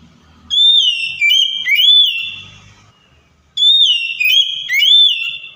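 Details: Oriental magpie-robin song used to provoke a silent, stressed bird: two bursts of loud clear whistled phrases, each three rising-and-falling notes with sharp clicks between, separated by a short pause.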